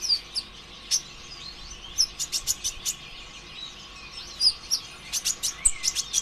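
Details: Lure song of a brown-throated sunbird, the 'konin ijoan', meant to get other birds singing: piercing high ticks in tight clusters of four or five, scattered thin whistles, and short pauses between bursts.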